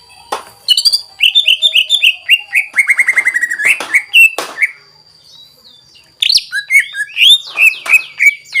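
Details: Greater green leafbird singing in full voice, its song used to provoke other leafbirds into singing: bright chirps, then a run of rapid descending whistled notes, a brief pause, and a renewed burst of sliding, warbled phrases.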